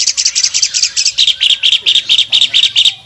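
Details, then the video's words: An albino Asian pied starling sings energetically with open wings. Bright, scratchy high notes give way to lower harsh chirps, repeated at a quick, somewhat uneven pace of about two per second. "jalak suren albino gacor buka sayap"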